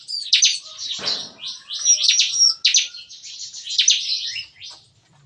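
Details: Bar-winged prinia kept in an aviary at a breeding farm, singing in the morning in the rapid "nembak-nembak" shooting style. The song is a dense stream of high, scratchy chirps with a few thin whistled accents.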